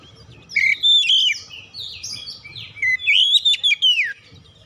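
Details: Oriental magpie-robin song, a lure to get birds singing: rich whistled phrases sliding up and down, two bursts of varied warbling separated by a short pause.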